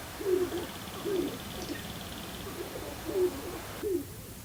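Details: Sharp-tailed Grouse courtship display sounds at a lek in northwest Minnesota's Glacial Ridge NWR, taken from a blind in early April after a snowstorm, around ten birds present; four short, low hooting coos spaced about a second apart.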